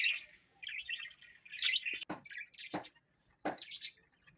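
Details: A pet parrot gives quick high chirps followed by three short harsh squawks that sweep down in pitch. Brief silent gaps fall between the louder calls.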